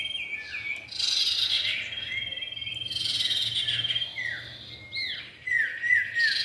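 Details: Common iora, male and female, in a lure recording: rich warbled bursts alternate with downward-swooping whistles repeated near the end, over a faint steady hum.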